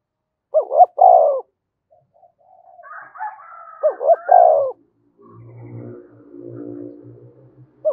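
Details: Spotted dove calling to provoke other doves, two low three-part coo phrases, followed by a low buzzing, rattling background noise.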